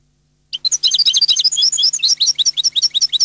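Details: European goldfinch singing a dense, fast tumbling twitter of bright tinkling notes jumping between high pitches, starting abruptly after a half-second silence and running without a break; faint low hum behind it.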